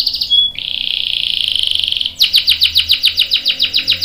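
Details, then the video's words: Canary lure song: a brief high whistle, then a long steady buzzy trill for over a second, switching to a series of loud, fast downward-sweeping chirps repeated about four times a second. "PANCINGAN KENARI GACOR CUIT CUIT bikin NYAUT ikutan BUNYI Ngerol panjang | CANARY SINGING"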